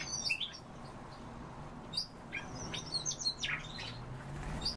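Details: Common starling (Sturnus vulgaris), song.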